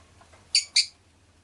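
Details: Pet rosy-faced lovebird uttering two loud, raspy, buzzy chirps a quarter second apart against quiet low background noise.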